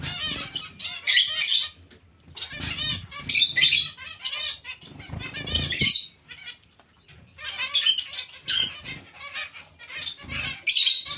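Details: Zebra finches in a mixed finch colony call in bursts of nasal, buzzy beeps, each flurry separated by short pauses filled with wing flapping.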